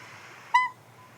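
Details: Recorded Northern Pygmy-Owl call played back outdoors: a single short, clear, mid-pitched whistled toot over a faint hum. This owl hunts songbirds, and the call rallies them to gather and mob it.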